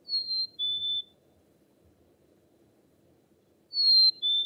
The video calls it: Chickadee Bird Chirping